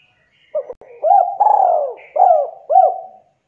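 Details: Spotted dove of the Javanese 'KUK 2' style in lively, close-packed calling. It gives a short clipped lead-in, then a looping coo, a long drawn-out falling croon and two more bent hoots. Background is otherwise quiet.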